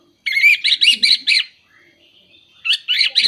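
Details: Orange-headed thrush singing, used to prompt moulting or silent birds: five quick rich warbled phrases, a pause with faint whistling, then another burst of phrases.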